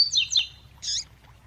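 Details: Double-collared seedeater in coleiro tui tui style, with a female call meant to excite the male: a short burst of high sliding whistled notes, then a single rough, buzzy chip, over a low background hum.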